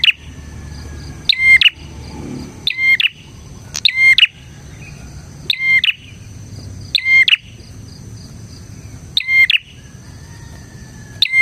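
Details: Bar-winged prinia singing vigorously, used as a lure for other prinias: a steady series of brief, piercing chirp bursts with rattling ticks, repeated every one to two seconds over a faint rumbling background.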